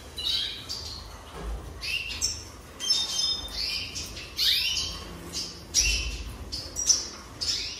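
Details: Singing jasper canary delivering separated bursts of high, sharp chirps and rising whistled slurs, roughly one burst a second, with brief quiet gaps and a low background rumble.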